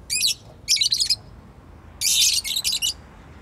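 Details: Pet bird kept at home chirping in two bursts of rapid, high, scratchy twittering notes, the first pair short and separated, then a longer run of buzzy chirps, over a quiet indoor background.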